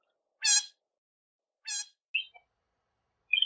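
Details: Northern shrike giving two harsh, rasping broadband notes about a second apart, followed by a few short high chirps and a brief squeaky note.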